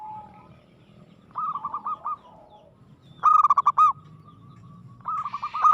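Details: Local zebra dove in aggressive song: three separated bursts of fast hooked coos, the middle one loudest and most ringing, with soft low hum between phrases.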